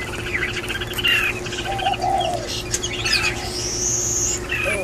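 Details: Red-whiskered bulbul singing: short clear whistled phrases, some rising then falling, a lower slurred whistle near the middle and a high thin whistle late on, over a steady low hum.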